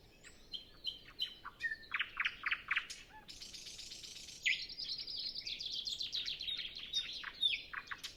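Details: Pre-dawn nightingale song on a still, windless morning before other birds start: varied phrases of rapid repeated notes, a dense buzzy rattle, then a long fast trill of high notes ending in sharp whistles.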